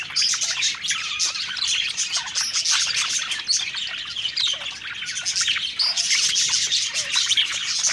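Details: Several pet budgerigars, described as happy, singing while eating: a dense, continuous chatter of rapid high chirps, warbles and short buzzy notes from many birds at once, steady in loudness throughout with no other clear sounds.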